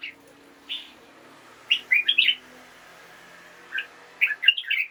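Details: Morning song of a caged red-whiskered bulbul: a single clear note, then two rapid bursts of cheerful warbling, chirpy phrases with a brief quiet gap between them.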